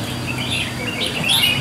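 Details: Several caged red-whiskered bulbuls at a singing competition in Sông Lô district, northern Vietnam, on 6 May 2023, sing together in short, bright, warbling whistled phrases, overlapping one another, over a low background hum.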